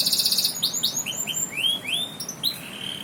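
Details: Canary song opening with a rapid high trill, then a series of clear whistled notes sliding upward and falling, delivered about four per second and varying in pitch, over faint background hiss.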